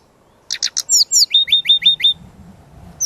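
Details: Brown-chested jungle flycatcher lure and training song: a run of sharp high chirps, then clear whistled notes repeated quickly in a steady series, over a faint low hum.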